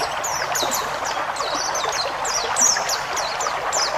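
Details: Pleci ngalas song recorded for training caged white-eyes: repeated high whistles, each dropping steeply in pitch, quick and lilting over a loud rushing, stream-like hiss.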